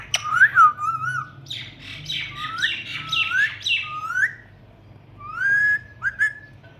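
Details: Pet talking parrot, indoors, said to be going crazy in the summer heat; a burst of harsh squawks and bent whistled notes in quick runs, a short pause, then two clear rising whistles.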